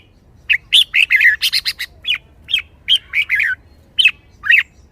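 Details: Red-whiskered bulbul, caged and lively, delivering 'rik rik rik': a dense stream of quick whistled and slurred chirps, a burst of rapid harsh notes early on, then spaced rising phrases.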